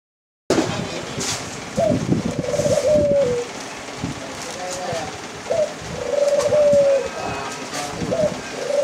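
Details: White dove calling: drawn-out, smooth mid-pitched coos, some slurring slightly upward or downward, given in irregular bouts with short gaps, over rustling and clattering background noise and faint voices.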